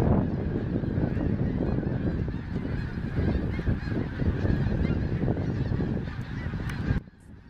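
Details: Massive snow goose flock flying around Gordon's Pond, Cape Henlopen State Park, Delaware, at the end of December after something startled it; thick low-pitched clamour of countless honking birds and heavy rumble, cutting off abruptly near the end.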